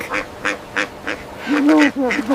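A duck gives four short, nasal quacks about a third of a second apart, followed by a person speaking.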